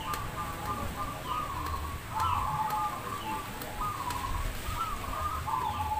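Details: Zebra doves at a perkutut contest run by a Demak local community, Semarang: a chorus of repeated rippling, trilled coo phrases at similar pitch, overlapping continuously, with occasional sharp clicks and background hum.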